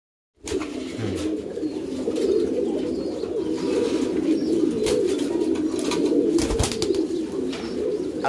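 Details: Domesticated pouter pigeons, a fancy rock dove breed with a large inflatable crop, kept in a loft: a dense, continuous chorus of low rolling coos from several birds, with occasional knocks and shuffling.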